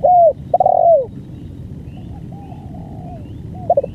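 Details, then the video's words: Spotted dove singing its full song of long duration: two loud, mellow coos with falling ends, then a run of softer, fainter coos and a quick double coo at the close. "BANGGO full||Durasi panjang"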